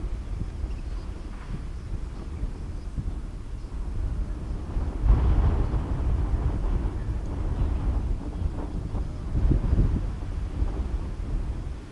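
Low rumbling wind and distant engine-like noise fill the recording, with no animal calls heard.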